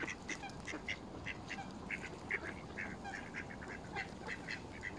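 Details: Mallards feeding in a frenzy alongside Canada geese at Smith's Pool, Fenton, Stoke on Trent, United Kingdom, on 21 November 2021, recorded on a mobile phone; short nasal calls repeat in quick, uneven succession amid other waterfowl calling.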